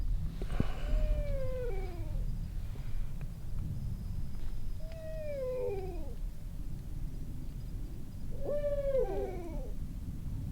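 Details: Barred owl (Strix varia) hooting at night beside a forest backroads campsite on a cold night near 34–35°F: three wailing, downslurred hoots about three seconds apart, each falling from a mid pitch, over a steady low rumble.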